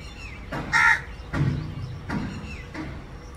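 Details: A crow, also called a raven, looks here and there while calling its partner. One loud, harsh caw comes early, then three softer, lower calls follow at intervals of about 0.7 seconds over faint background noise.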